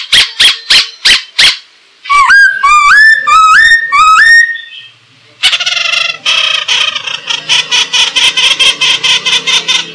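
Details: Masked laughingthrush song for training other birds: short loud notes, a series of rising slurred whistles, then a harsh rhythmic chattering run repeated several times a second.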